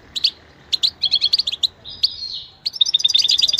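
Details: Goldfinch song for training: high twittering notes and short trills in bursts, a brief nasal buzz near the middle, then a fast run of repeated chirps at the end.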